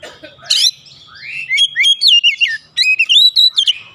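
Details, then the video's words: Oriental magpie-robin in an agitated mood, spilling its learned fill phrases as a lively chain of looping whistles and sharp chips, about four notes a second, with loud, clean notes and little background. "PANCINGAN cepat Kacer emosi bongkar isian"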